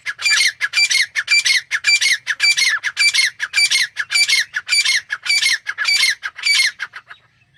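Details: Steady, evenly spaced harsh calls from a grey francolin (teetar), almost two per second, each a shrill rasping note, stopping abruptly near the end with calm background.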